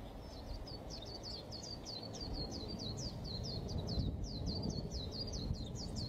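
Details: Lively white-eye song of quick, thin, downslurred chirps strung together in a long chattering sequence, accompanied by a persistent low background rumble.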